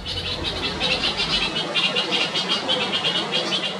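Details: Rapid scolding alarm of a Red-vented Bulbul mother as her chick leaves the nest for the first time, a continuous run of harsh, evenly pulsed high notes.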